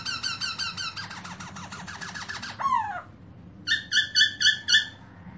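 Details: Black-throated laughingthrush (Garrulax chinensis) singing, recorded 2017, spreading its tail: a run of rich, buzzy repeated notes and a falling slur, then five quick clear notes, over a low room hum.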